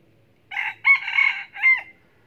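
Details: Red junglefowl cock kept as a decoy in Bình Phước, Vietnam, crows once: a clipped start, a long strained middle and a falling final syllable, over a soft low rumble.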